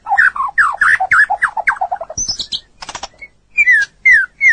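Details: White-rumped shama in a training recording for songbirds: a chattering run of rapid mid-pitched warbled notes, then a few high scratchy notes, a pause, and three clear slurred downward whistles.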